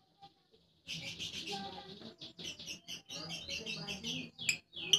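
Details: Lovebird ngekek song, a long chattering, squeaky run of rapid high chirps and trills that starts after a short pause and continues with brief gaps, with faint low background noise.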